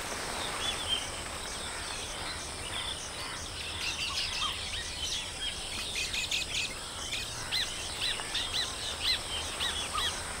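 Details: Baya weavers in a colony: sparse thin chirps at first, then a building outburst of rapid, repeated sharp notes and squeaky twitters from several birds. A low background hum continues throughout.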